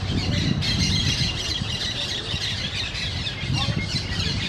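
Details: Parrots (loritos) calling, a dense, continuous chatter of harsh, overlapping squawks without pauses, over a steady low rumble of background noise.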